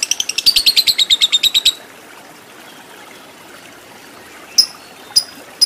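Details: Lovebird, masteran recording for fighter lovebirds with long ngekek; a quick burst of high, rhythmic chattering lasts under two seconds, then quiet hiss, followed by two or three lone sharp chirps.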